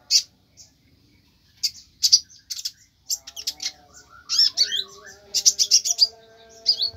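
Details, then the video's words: Konin, or brown-throated sunbird, delivering tembakan song: scattered high chirps at first, then dense runs of rapid piercing notes and brief twittering phrases, with soft steady tones in the background. "tembakan konin sadis"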